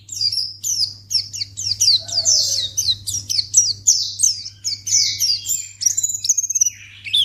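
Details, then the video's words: White-eye (pleci) sound meant to lure other white-eyes into responding at once: a dense run of high, sharp chirps sliding downward, with brief twittering and a fainter lower whistle near two seconds, over a constant low electrical hum. "Pleci Akan Langsung Merespon Memancing Bunyi Burung Pleci Bahan Jenis Apapun"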